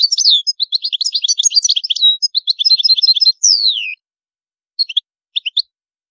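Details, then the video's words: European goldfinch pours out a rapid jumble of high twittering notes, ends the phrase with a long falling whistle, then after a pause adds a few scattered chirps. "تغريد الحسون جميل دو مقامات عالية"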